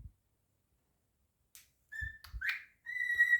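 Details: Pet cockatiel indoors, singing and whistling: clear, level whistled tones, one short and one sustained, plus a brief chirp, with soft low thumps in the room.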